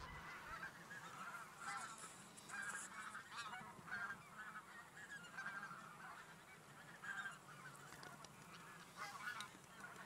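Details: Flocks of geese moving from the fields to a lake to rest. Their honks come in dense bursts that pulse every second or two through a steady background chorus.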